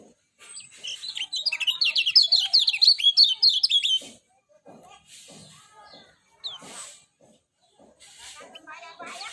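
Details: Lemon-bellied white-eye, Lombok bird, delivering a sustained rapid twittering warble for about three seconds, then falling quiet apart from a single chirp, with low drips and soft hiss throughout.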